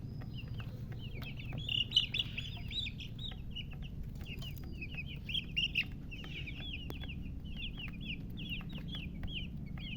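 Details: Newly hatched chicks chirping loudly, with bursts of high, sharply falling peeps in quick clusters that pause briefly before starting again, over a low rumbling background.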